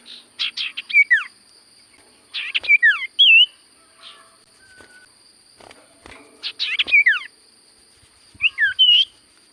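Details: Common Iora singing sirtu style in separate bursts every two to three seconds, each a quick cluster of sharp notes and falling whistled slurs, with quiet gaps between phrases.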